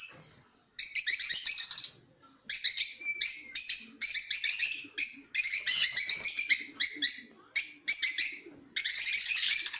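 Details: A colony of African lovebirds chattering in rapid, high, raspy bursts of varying length, with overlapping squeaks and short quiet gaps between bouts.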